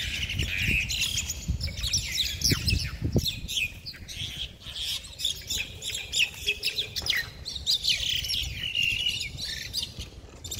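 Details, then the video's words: Several mynas fighting trade harsh, grating squawks and rapid scratchy chatter in overlapping bursts, with low thuds and flapping early on. "Myna birds fighting"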